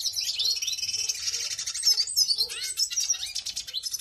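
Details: Excited, fired-up red siskins give a fast, continuous twittering of high, buzzy trills and chirps, several birds overlapping without pause.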